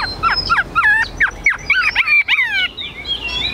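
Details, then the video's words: Chinese hwamei kept in a cage, tame and of the 'ngũ trường' shape, giving short rising-and-falling whistled slurs in quick succession, some sharper notes toward the end against a faint background hiss. "Họa mi dáng ngũ trường, bóng bộ cực đẹp, hót cao cầu"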